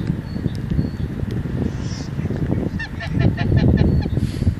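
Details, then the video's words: Wednesday-morning geese give a rapid series of about six short nasal honks in the second half, each harmonic-rich, against heavy low-pitched wind rumble and background noise. "geese on a wednesday morning"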